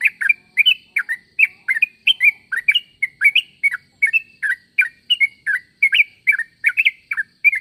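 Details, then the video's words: Sooty-headed bulbul call used to make other bulbuls reply: a fast, continuous run of bubbly, chirpy two-part notes, about two per second, lively and unbroken throughout. "Suara pangilan burung trucuk.semua trucuk pasti nyaut dengar suara trucuk ini"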